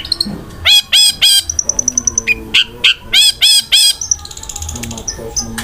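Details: Long-tailed shrike singing hard with rough fill-in material and speedy rolled shots: clusters of sharp stacked chirps, a thin steady high trill, and short bright notes in fast runs.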